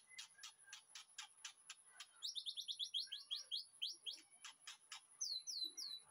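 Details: Afternoon master song of a captive white-rumped shama in a backyard aviary for training: sharp ticking notes about four a second, a quick run of high descending chips, then more ticks and three slurred whistles.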